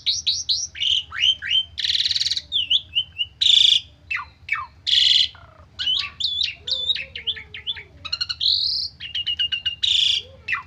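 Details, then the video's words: Asian pied starling, a stressed bird singing a full song packed with mimicked fill notes, used as lure audio to make other starlings answer: rapid varied whistles, falling slurs and harsh buzzy bursts, densely strung together over faint low hum. "Pancingan Jalak Suren Stres Full isian 100% Nyaut"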